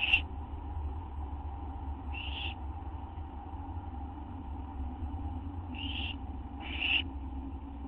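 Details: Recorded at an owl nest just after midnight on September 6, 2011, while food is delivered: four breathy, rasping hisses, two of them close together near the end, over a continuous low hum.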